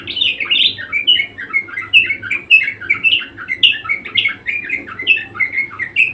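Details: Budgerigar chattering eagerly in a fast, unbroken stream of short squeaky and grating notes grouped in loose phrases, about two per second, with a faint hum underneath.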